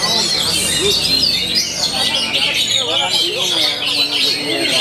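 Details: Oriental magpie-robin, described as performing vigorously every day: bright, rapid high twittering and looping whistles, densely packed, with lower warbling notes and background murmur.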